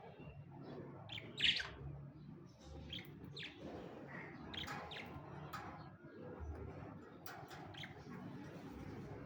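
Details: Two pet budgerigars calling indoors: a loud sharp chirp near the start, followed by scattered short high chirps and squeaky notes over a low background rumble.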